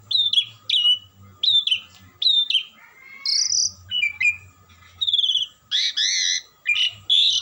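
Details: Nonstop song of an Asian pied starling: a series of repeated sharp whistled notes, then a buzzy note, quavering slurs and harsh rasping phrases, with a low hum beneath.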